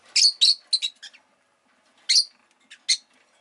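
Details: Shrill, grating chirps from a pet rosy-faced lovebird come in a fast cluster of four or five notes, then after a pause a second short group.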